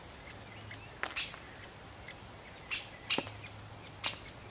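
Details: Male great spotted woodpecker calling as it feeds a chick: irregular sharp, high, clipped notes, some in close pairs, over a faint low hum.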